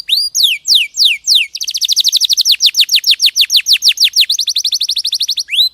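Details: Canary song used as training material for other songbirds: loud, clean series of rapidly repeated descending high whistles, slow at first then quickening into a steady fast trill of about five notes per second.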